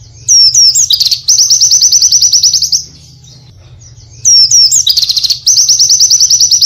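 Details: Pleci, or Oriental white-eye, repeating a phrase twice: looping high warbled notes that run into a fast, even, buzzy trill, with a quiet pause between the two phrases.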